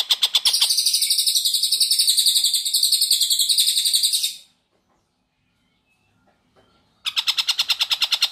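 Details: Long-tailed shrike (tengkek buto) in energetic song, kept as master audio for training white-rumped shamas: a fast, harsh, buzzy chatter of evenly repeated notes for about four seconds, a silent gap, then the rasping series resumes.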